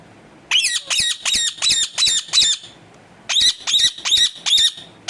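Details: Pet parrot giving two bursts of harsh, high, buzzy squawks, six rapid calls then a pause and four more, each a short rasping note repeated about three times a second, with faint background murmur.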